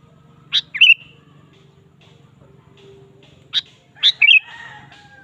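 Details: Lively song of a sooty-headed bulbul used to draw out other birds: two short phrases of crisp chirps ending in a warbled flourish, about three seconds apart, over soft background hum.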